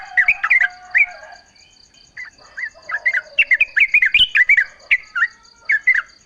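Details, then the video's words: Yellow-vented bulbul song played as a lure for other bulbuls to answer: quick, liquid, up-and-down chirped notes in loose clusters, a low whistle-like hum early on, and a constant high ticking buzz. "trucuk gacor full suara alam ampuh buat pancingan agar bunyi jadikan trucukmu gacor nyaut"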